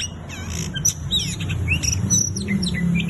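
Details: Oriental magpie-robin in vigorous song, giving rapid high whistles, upward slurs and short chips against a strong low rumbling background noise.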